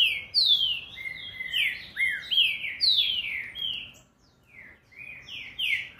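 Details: Rapid green-winged saltator song: a dense run of ringing, descending whistled notes, briefly pausing before resuming with a few more spaced downslurs.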